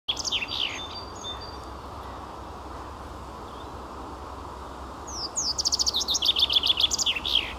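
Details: A common chaffinch sings in May 2022: a few opening chirps, then a bright, quick descending trill that rattles down the scale and ends in a sharp flourish, with steady background hiss throughout.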